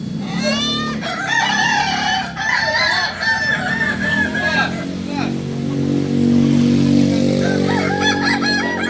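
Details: Kokok Balenggek roosters at a joint crowing practice in Kota Solok: several undulating, stepped crows follow one another over a steady low engine rumble, with faint voices and another crow rising near the end.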